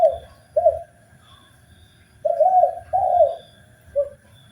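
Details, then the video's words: Spotted dove song from a master recording for training birds: short coos, a pause, then a pair of longer low warbled notes and a short closing coo. "MASTERAN BUAT BURUNG TEKUKUR SUPAYA GAC0R DAN BERGAIR4H"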